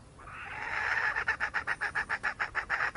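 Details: Wild junglefowl hen: a hoarse, swelling note rising out of quiet, then a steady string of short clucks repeated roughly four times a second.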